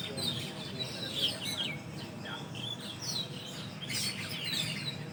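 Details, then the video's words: Early-morning calling of Asian glossy starlings, recorded after dawn prayer at a leafy tree used as a large group roost; clear, high, slurred whistles and chirps overlap constantly, with light low background noise. "SUARA BURUNG PERLING ATAU CUCAK HITAM MATA MERAH"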